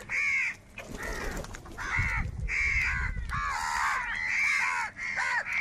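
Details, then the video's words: Many crows competing for food, rough caws repeated rapidly from several birds at once, with some low rumbling noise in the background. "Kaka sound and Noises of Crow Birds | Huge Numbers of Crows Crowing and Crying sounds"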